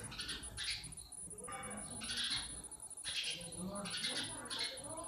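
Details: Natural sound of sparrows: loud, harsh, buzzy chirps in quick bursts about every second, rising and falling in brightness, with a constant high-pitched hum and low rumble behind.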